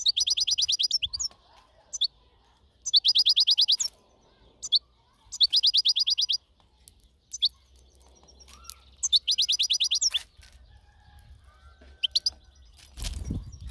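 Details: European goldfinch in natural surroundings singing bursts of fast, liquid twittering trills, each about a second long, separated by short pauses, with scattered single chirps and a low background hum.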